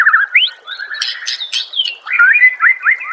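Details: Master song of the white-rumped shama for caged-bird training: looping whistles, upward slurs, a few harsh clicks, then a sweet warbled phrase of rising notes.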